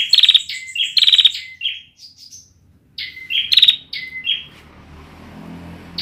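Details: Immature song of a young Bar-winged prinia: rapid buzzy rattles alternate with thin, slightly falling chirps in two runs. A faint low hum follows near the end.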